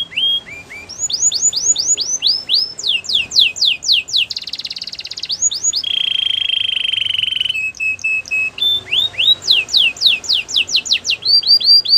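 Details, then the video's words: Canary song alternating rapid series of down-slurred whistles with a buzzy high roll, a sustained lower trill and clipped pure notes, before returning to fast swooping phrases, faint hiss behind. "Canary bird sounds | Your canary will sing a lot"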